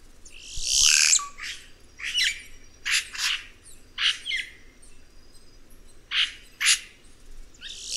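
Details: Red-rumped cacique (Cacicus haemorrhous) producing a long sequence of rasping, crackling notes in quick pairs after an opening rushing burst with a falling whistle.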